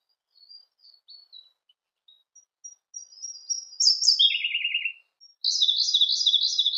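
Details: Siberian blue robin song: a series of soft, thin, spaced high notes growing louder, then a loud rapid trill dropping into a lower buzzy trill, and after a pause another loud fast repeated trill.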